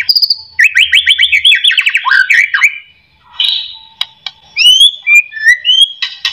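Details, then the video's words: Song of a white-rumped shama, used to coax a reluctant shama into singing: a high whistle, then a quick rattle of repeated notes, a scratchy pause, and finally clear separate whistles at varied pitches. "AMPUH buat pancingan murai"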